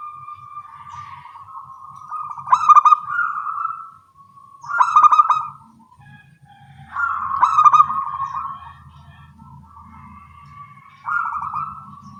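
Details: Local zebra doves with small voices answering each other in the morning: four phrases of rapid, rolling coos ending in longer mellow notes, about every two to four seconds.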